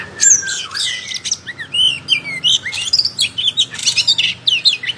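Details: Oriental magpie-robin pouring out a loud, varied song with tail fully spread, combining low slurred whistles, quick rising notes, buzzy squeals and dense high twittering, with hardly a pause.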